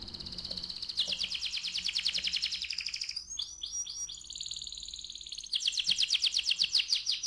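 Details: Canary singing in the rolling ngerol style, used to prompt other canaries to sing: fast high buzzy trills, a brief run of sweeping slurred notes in the middle, then a loud rapid trill again.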